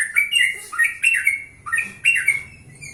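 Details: Yellow-vented bulbul in the morning, natural voice, singing so that other bulbuls reply; three or four bubbly, chortling whistled bursts, each a rapid up-down tumble of liquid notes with a sharp high edge, short gaps between.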